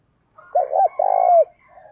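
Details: Spotted dove used as a decoy, cooing to call in wild doves: one loud phrase with a short double coo followed by a long, rolled coo that slides down at the end.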